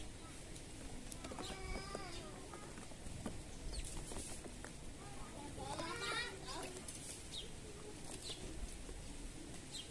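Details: House sparrows (Passer domesticus) in the morning give bursts of bright, repeated chirps, with a cluster of chirps near the middle, over a steady low rumble of outdoor noise.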